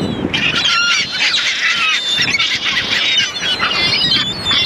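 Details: Many gulls cry at once, producing a continuous, busy mass of shrill, nasal calls and quick yelps with little low rumble beneath.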